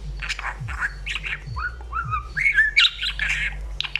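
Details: Budgerigar chatting: scratchy chirps give way to smooth, falling whistled notes, then a burst of squeaky, buzzy warbling, with soft low thuds repeating underneath.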